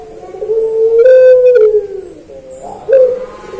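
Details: Captive puter pelung (Barbary dove) kept for singing, cooing in a training recording: low, hollow drawn-out coos, a long smooth note wavering slightly, a pause, then a shorter rising coo, over faint background hiss.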